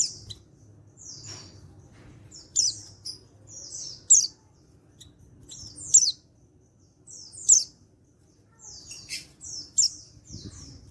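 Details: Male white-eye, untrained, from Pacitan, 14/10/22, calling so other white-eyes answer: repeated high-pitched chirp-and-trill phrases about every one and a half seconds, bright and clear over a quiet background.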